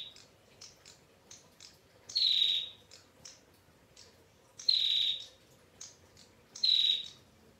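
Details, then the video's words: Calling female bar-winged prinia with a long, clear 'ngetir' voice: three loud, harsh, buzzing high notes, each under a second, spaced two to three seconds apart, with quieter thin chirps filling the gaps. "PRENJAK TAMU BETINA Gacor NGETIR PANJANG Suara JERNIH"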